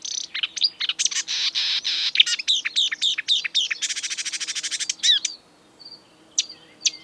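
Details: Exuberant marsh warbler, Acrocephalus palustris, a mimic of European and African birds, singing a fast, varied medley of harsh buzzy notes, sharp chirps, whistled slurs and rapid dry trills, phrases shifting every second before a brief pause and scattered high notes.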